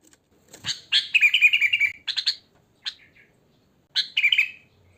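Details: Natural wild sooty-headed bulbul, no learned fill: bubbly, gurgling phrases sliding down in pitch, then a short clipped note and a final liquid falling phrase after a pause.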